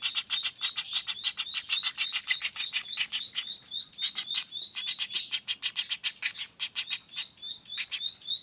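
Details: Juvenile common flameback calling without pause: rapid high chattering notes about three per second, mixed with short thin upslurred whistles repeated between them.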